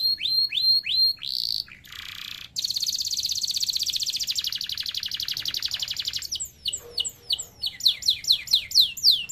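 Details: Canary song used as a tutoring recording: a few quick descending whistles, then a long, fast buzzy trill of very rapid repeated notes lasting about four seconds, ending in a series of sharp downward-swept chips.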